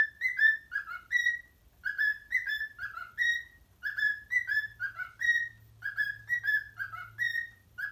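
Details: Pet parrot whistling the Addams Family tune for its parrot friends. Clear, slurred whistled notes carry rich overtones. A short motif of falling and rising phrases repeats roughly every two seconds over a faint low hum.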